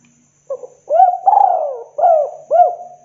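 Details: Mellow phrase from a spotted dove played as a lure to attract other doves, in kuk-2 style: a faint stutter, then a rising coo, a drawn-out quavering fall and two rounded hoots in close succession.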